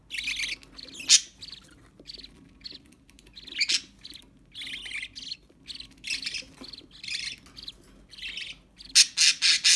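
A budgerigar chatters in bursts of scratchy, high chirps and squawks, ending with four quick harsh notes.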